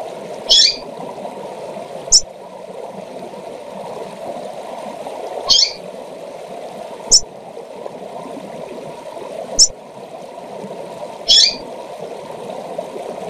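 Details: Calls of a female double-collared seedeater meant to excite males: six short, high chips and buzzy notes spread unevenly over thirteen seconds, a steady low rushing noise throughout.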